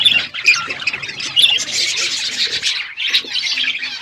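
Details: Budgerigars chatter through a winter morning, layered high warbles and squawky chirps from several birds, with one brief break before the chorus picks up again.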